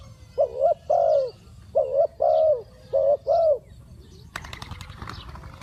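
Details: Decoy spotted dove cooing to attract wild doves, six soft, slightly wavering low coos in three pairs, then a sudden broad rustling burst and background noise.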